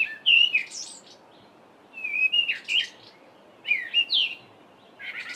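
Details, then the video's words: Cape robin-chat singing in a home garden during the mid-winter (July) dawn chorus: three to four repeated phrases of sweet whistled notes that swoop up and down, each about a second long, separated by pauses. "Cape Robin-chat's two different songs"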